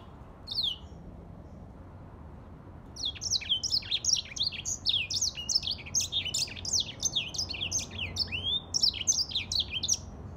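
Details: Song of a grey singing finch: a lone high note, a pause, then a sustained stream of fast, tumbling chirps and descending slurs, bright and continuous to the end.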